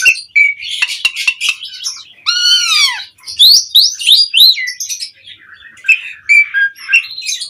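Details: Asian pied starling singing mompa style, used as a lure to make other songbirds respond: quick chattering notes, then a long falling-rising whistled series and looping slurred phrases, busy and varied throughout.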